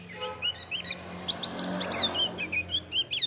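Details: Male Javan grey-throated white-eye giving a short burst of song; quick, clear, rising and falling whistled notes in rapid succession over a low steady hum.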